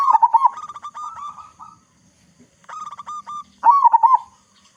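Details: Local zebra dove with a loud, big voice, used as a lure to get other zebra doves singing quickly: a loud rolling, bubbling coo, then a run of clipped staccato notes, a pause, and two more phrases ending in rolling coos.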